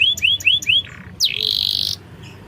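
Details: Canary song phrase meant to stir a reluctant bird into singing: four arching whistled notes, a brief low buzz, then a loud rolled buzzy trill of under a second.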